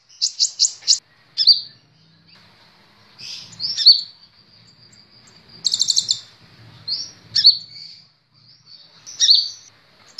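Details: Kolibri ninja sunbird, training recording for cage birds: a short fast trill opening, then sparse sharp whistled chips and thin high notes spaced apart, with a brief buzzy rattle midway.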